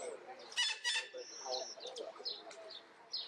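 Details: Female Derbyan parakeet giving two harsh, broadband screeches in quick succession, followed by a mix of thinner chirps and whistles from other birds in the background.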